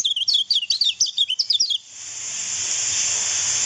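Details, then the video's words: Lemon-bellied white-eye song used to train other birds: fast, high, twittering chains of thin zigzag notes for under two seconds, then a steady high hiss takes over. "MASTERAN KECIAL KUNING"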